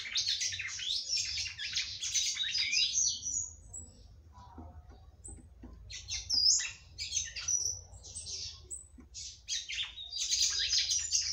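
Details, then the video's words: Female red-cowled cardinal singing at length to stimulate the male: dense high buzzy and chattering phrases, a quieter gap near the middle, then bursts of sharp notes returning strongly at the end. "FÊMEA DE GALO DE CAMPINA CANTANDO MUITO PRA FOGUEAR SEU CAMPINA"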